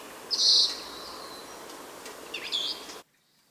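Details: Senegal parrot at Verona, 1 September 2012, gives two shrill, high-pitched squawks about two seconds apart, the first louder and longer, over a steady background hiss.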